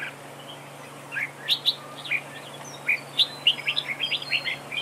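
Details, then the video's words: A red-whiskered bulbul decoy in a trap duel starts quietly, then a series of sharp, clear whistled notes and quick chirps follows, coming faster toward the end, with a steady low hum in the background. "Bẫy đấu chào mào cực đẹp, hót cực hay"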